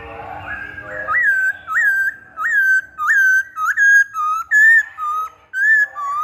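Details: Masked laughingthrush song for luring birds: a steady run of about ten loud upslurred whistles, each rising then leveling, spaced under a second apart, alternating slightly higher and lower pitches.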